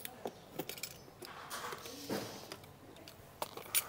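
Scattered clicks, taps and soft rustling in a small room, with no clear animal call.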